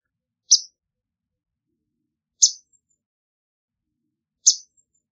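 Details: Swamp sparrow giving single sharp, high chip notes, three in all, spaced about two seconds apart with silence between.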